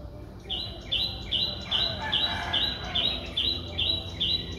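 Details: Four-day-old Streak-eared Bulbul nestling, a very common resident, recorded in Ubon Ratchathani, Thailand, on 6 April 2023; short, high, thin notes repeat rapidly and evenly, about ten in under five seconds, over a soft background of distant birds.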